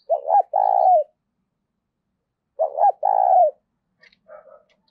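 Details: Caged decoy spotted dove cooing to stir up wild birds. It gives two identical phrases about two and a half seconds apart. Each is a quick, low, throaty double note and then a long, steady, burry coo. Faint soft chirps follow.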